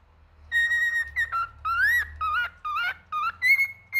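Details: Singing male cockatiel giving a lively run of whistled notes: a held flat tone, then swooping upslurs and wavering whistles in close succession over a faint low background hum.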